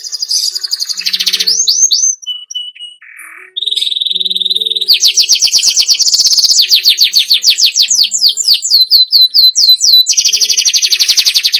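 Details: Loud captive canary song for prompting other birds to sing: mixed trills and whistles, a short pause of softer notes, then sustained rapid rolling trills and series of fast upswept whistled notes.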